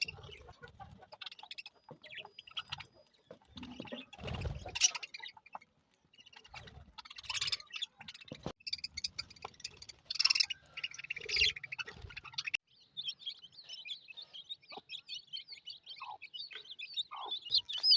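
Budgerigars chirp busily in rapid high warbles, with clicks and squeaks scattered through.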